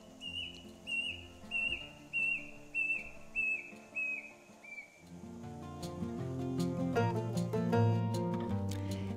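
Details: Brush cuckoo in Kakadu National Park, Northern Territory, Australia, gives its monotonously continuous call: about eight clear whistled notes under a second apart, each dropping slightly, the series stepping lower. Music takes over after five seconds.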